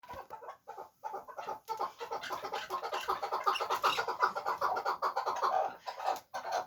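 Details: Chukar partridge, a fighting bird, giving rapid harsh clucking chuk notes in dense, uneven runs of about two to three per second, with brief pauses between bursts.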